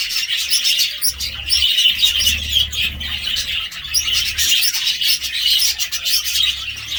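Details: Steady budgerigar chattering, several birds chirping and warbling together in a thick, high twitter that swells and fades slightly throughout, with occasional sharp clicks and a low hum underneath.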